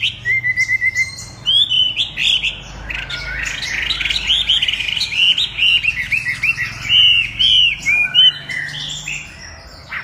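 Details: Chinese hwamei song: a short steady whistle, then a long rich outpouring of rapid warbling, looping whistled notes and trills, with a low background hum.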